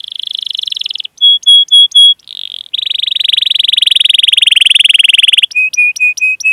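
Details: Canary training recording meant to lure young or non-singing canaries into song: long high buzzy rolls alternate with short clear repeated whistles, then a sustained rattling trill and a series of brief piping notes.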